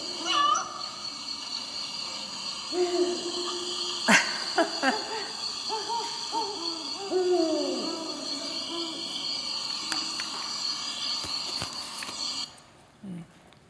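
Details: A pair of Great Horned Owls duetting, a call heard mostly in late winter and early spring before egg-laying. Soft low hoots overlap in short runs, one voice a little higher, over a steady indoor hiss and hum.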